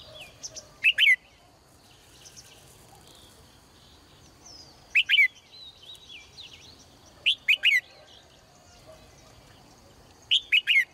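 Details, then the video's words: A female bird in a cage calls cheerfully in the morning, giving clustered high chip notes in twos and threes about every two to three seconds, with soft twittering of other birds between. "นกตัวเมียร้องเจื้อยแจ้วในยามเช้า , เสียงนกร้องในกรง"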